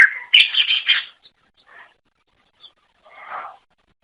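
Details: Cucak ijo luring song: a dense one-second burst of bright chirps, then only soft, scattered fragments and a brief muffled warble.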